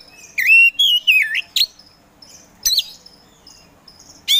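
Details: Kacer Poci Oriental magpie-robin, kept caged as a provoking songster, gives a few rich wavering whistles and sharp upward flicks, followed by soft scattered high notes and a final loud phrase.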